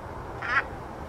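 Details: A White-faced Ibis foraging in a rice field in Sutter County, California, gives a single short, hoarse, duck-like quack over a steady low rumble of background noise.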